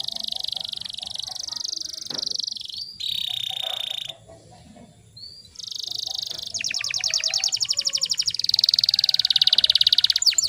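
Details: Canary song used as a lure to get silent canaries singing: long high trilled tours, a steady rolling buzz, then a brief pause before rapid pulsed trills that speed into a fast rattling series near the end.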